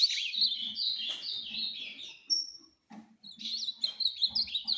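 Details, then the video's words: Ultramarine grosbeak in tournament 'fibra' singing delivers a dense, fast warbled phrase of descending whistled notes, then a pure high whistle, a short pause, and another rapid warble; faint low knocks underneath. "Fibra e Velocidade"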